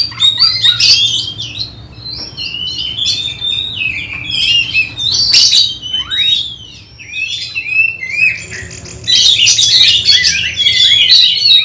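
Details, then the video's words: Oriental magpie-robin during home training before a songbird contest: varied whistled phrases and chattering bursts, a long downward-sweeping note mid-way, then a final dense, busy flourish. "Test Mental Kacer Persiapan Lomba Burung Berkicau"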